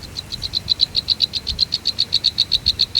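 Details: Begging nestlings being fed by their mother give a steady, high-pitched series of sharp clicking cheeps, about six per second, evenly spaced throughout, with faint low rustling beneath.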